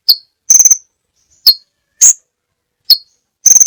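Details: Crimson sunbird, a tutor recording with many variations, giving isolated sharp high chirps and short buzzy bursts spaced about half a second to a second apart, with silence between.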